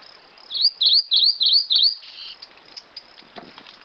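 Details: Grey-eyed Greenlet singing five rapid, high, looping whistled notes in an even series, then falling silent while faint clicks and soft ambient sounds continue.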